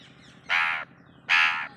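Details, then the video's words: Pet Indian ringneck parrot imitating a crow: two harsh, raspy caws, each lasting about a third of a second and spaced almost a second apart, against a faint low hum. "Tuppu Makes A Crow Sound / Kauve Ki Awaaz Nikalta Tuppu"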